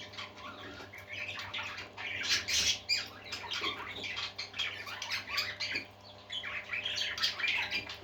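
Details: Several caged parakeets chatter at length, a dense fast warble of buzzy chirps, squawks and squeaky notes rising and falling in loudness, with a faint low hum throughout.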